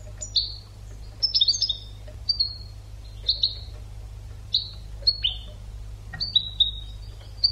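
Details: European goldfinch, an educational song for training birds, with bright high twittering phrases and buzzy notes at irregular short intervals over a faint low hum.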